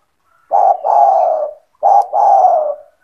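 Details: Calls of a keeper's lively spotted dove meant to draw other doves into calling: two throaty coo phrases, each a clipped opening note followed by a longer, slightly falling rolling coo, with near silence between.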